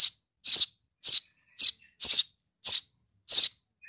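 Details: Baby Eurasian tree sparrow calling for its mother: loud, harsh, buzzy chirps, seven in under four seconds, each a short broad burst of noise with clear silence between.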